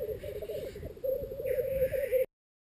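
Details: Black grouse males courting a female at a lek arena, with mating and fights, make a continuous, low, bubbling cooing; near the end comes a brief hissing rush.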